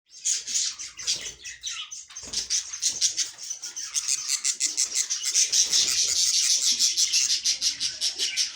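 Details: Budgerigars in a breeding setup, giving a dense, continuous stream of high chirps and warbling chatter with rapid repeated notes.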